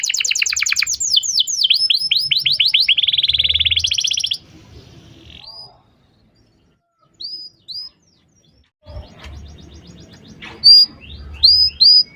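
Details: Canary song as a training lure for a young canary: quick falling sweeps and a buzzy trill for about four seconds, then near silence with a few isolated short high upslurred notes.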